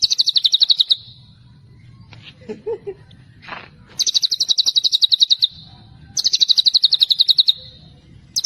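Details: White-rumped shama delivering tembakan celilin: high, rapid, machine-gun-like runs of short notes lasting over a second, with pauses of about two seconds. Between runs come a few quieter lower chirps and a soft low hum.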